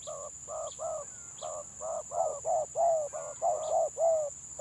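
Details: Village spotted dove singing in the stuttering 'gagap' style: a quick run of short, hoarse coo notes, some paired, irregularly spaced over four seconds, with faint high chirps of small birds and a steady high hiss behind.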